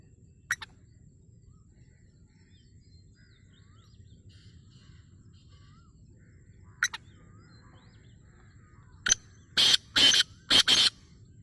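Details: Black francolin of the Hindustani nasal type calling: after scattered faint clicks and soft notes, a series of four harsh, grating, broadband bursts in quick succession near the end, against a quiet background.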